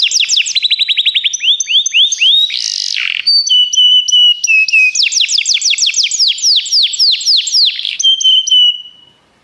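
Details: Canary singing as a training model: a fast rattling trill of falling notes, a brief rasping burst, level whistles, then a long run of rapid descending chirps and a fading whistled note, close and clean.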